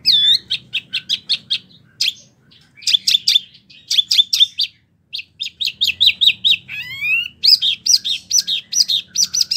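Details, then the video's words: Caged mini wambi delivering a long rolling 'ngerol' song of rapid high chips and twittering notes in bursts, with short pauses and a quick descending buzzy trill near the end. "Wambi mini gacor ngerolll abis"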